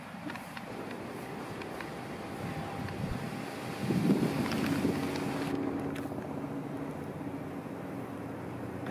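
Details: Outdoor wind noise and a low engine-like rumble, with a steady low hum and a brief louder swell near the middle, and no clear animal calls.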